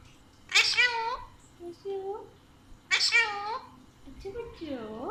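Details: A pet Alexandrine parakeet talks in Urdu/Hindi in a raspy, nasal voice: two loud bursts of word-like phrases about two seconds apart, with softer murmurs and a drawn-out call between.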